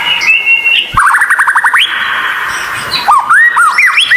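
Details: White-rumped shama training song for captive birds, described as rare with strange sounds, meant as therapy for shamas that sing little: a long steady whistle, then quick rising slurred notes and looping bouncy phrases.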